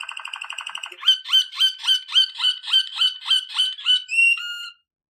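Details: Waterslager canary singing for training: a fast rolling trill, then about a dozen separate slurred notes, roughly three per second, closing with two short whistles before silence.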